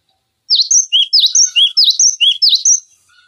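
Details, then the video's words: Sharp, high repeated phrases from a cinereous tit, a tutoring recording for other songbirds; each phrase a steep downslurred note followed by a lower whistle, about a dozen notes in quick rhythm. "Masteran Pancingan Gelatik Batu Gacor Full Isian Tembakan Tajam"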